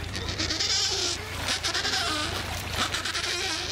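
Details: Adélie penguins at a breeding colony of about 150,000 pairs on Paulet Island, Antarctica, 1 February 2019, give harsh, braying, bleat-like calls overlapping in a continuous raucous chorus with steady background noise.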